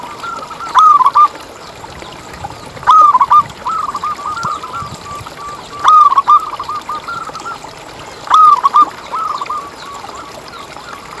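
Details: Zebra dove song from a local bird, used to lure zebra doves into singing: four loud clusters of quick, ringing coos roughly every two and a half seconds, each trailing into a softer, stuttering coo sequence.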